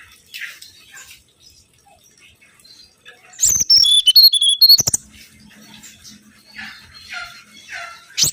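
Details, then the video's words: Mangrove whistler song used as a lure for birds: after near silence, a short loud burst of clear whistled notes, alternating higher and lower slurred tones, ends abruptly, followed by faint scattered chirps. "PANCINGAN SUWARA💯‼️ BURUNG KANCILAN BAKAU"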